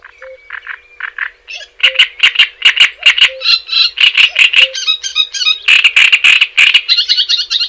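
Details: Java sparrow song, recorded for prompting and tutoring other cage birds: soft clicking notes give way to fast bursts of bright, rhythmic chattering pulses with buzzy trilled phrases near the end, over faint low beeps and a steady hum.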